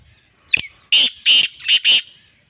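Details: A female black francolin (Francolinus francolinus) calls on 24 August 2023, giving a brief opening note, then four loud, harsh, rasping notes in quick succession over about a second.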